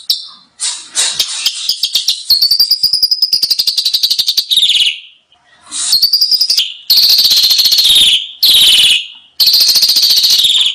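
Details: Asian pied starling training song packed with varied fill-in phrases: a long rattling buzzy passage that rises then falls, followed by a run of loud grating bursts broken by brief gaps.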